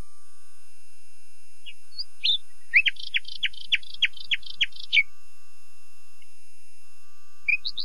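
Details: Common nightingale song with a few introductory chirps building into a rapid rhythmic series of sharp, clicking notes, then silence and a last brief phrase.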